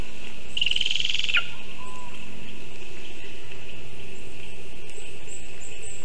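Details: Lesser spotted eagle at a Zemgale nest about 20 m up a birch, 19 August 2023, as a vole arrives. One rapid, trilled high call lasting under a second with a falling end, then quiet background.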